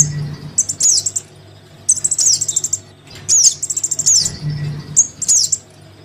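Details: Crimson sunbird chick calling for its parent, used as a lure: bursts of high rapid ticking chips mixed with sharp falling squeaks, several groups spaced by short silences.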